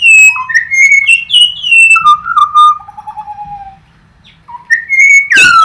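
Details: Birdsong from Australia: rich fluting whistles stepping down in pitch, a long level whistle, a brief quiet gap, then renewed clear whistled notes ending in a loud sweep.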